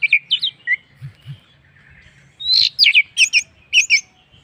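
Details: Orange-headed thrush song used as a lure to get other birds singing: quick, varied whistled notes, then a louder run of rising and falling phrases repeated in short bursts after a brief pause.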